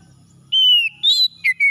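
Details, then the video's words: Oriental magpie-robin singing in the morning, used to bring stressed birds back into song: a sustained high whistle that falls slightly, then short bright whistled notes, with a low hum underneath. "KACER PAGI PEMULIH KACER SETRES MACET BUNYI"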